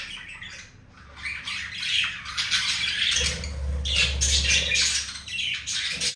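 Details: Affectionate pair of pet budgies; quiet opening, then loud scratchy squawks and rapid chattering chirps from two seconds on, with a low background hum.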